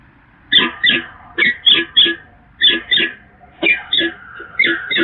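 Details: Peregrine falcons at the Evoluon, Eindhoven, 8 April 2022: harsh, grating calls come in quick pairs and short bursts, repeated about a dozen times over a low background hiss.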